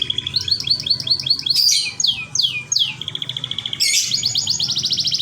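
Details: A local canary pours out merlok-style song: a fast series of upslurred chips, then loud descending swoops, then a rolling high trill of rapidly repeated notes. The song is bright and forceful over a quiet hum.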